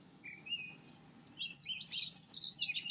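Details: Dunnock song beginning with a few thin, separate notes, then building into a dense, rapid, high twittering warble that is still running when the recording cuts off.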